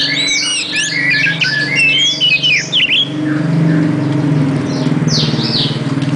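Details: Oriental magpie-robin pouring out rapid chattering whistles and squeaky slurred notes for about three seconds, then softer high notes, over a loud low rumbling hum.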